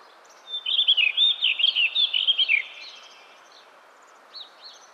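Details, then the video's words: Blue rock thrush (Monticola solitarius) delivering a quick song phrase of about a dozen looping, melodious whistled notes in two seconds, followed by quiet with a couple of faint distant chirps. "Как поёт синий каменный дрозд? How the blue stone thrush sings?"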